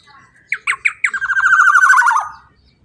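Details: Black-naped oriole, loud, used to lure other birds into calling: a quick run of short rising notes leading into a long coarse, rattling buzz that slides gently down before stopping abruptly.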